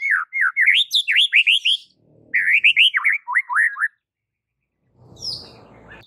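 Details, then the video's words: White-rumped shama (murai batu) masteran song: rapid series of slurred, swooping whistled notes in two fast runs, followed by a quiet hissing background and one brief high note. "Jangan Kaget jika Murai Batu anda langsung NGAMUK - NGAMUK & MUNTAHIN ISIAN dengar MASTERAN ini"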